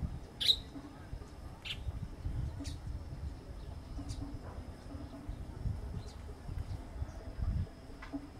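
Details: Female burnished-buff tanager (Stilpnia cayana) giving thin, sharp, high chips at irregular intervals of one to two seconds, over a steady low rumble and a faint continuous high whine.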